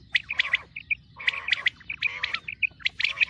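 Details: Female common quail calling for the wheat season: bursts of quick chirping notes in groups about every second, with several short liquid notes between the groups.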